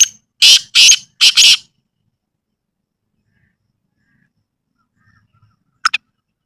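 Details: Black francolin (kala teetar) in a village environment: the end of a harsh, grating call phrase of three or four rasping notes, then a long silence and a brief faint double note near the end.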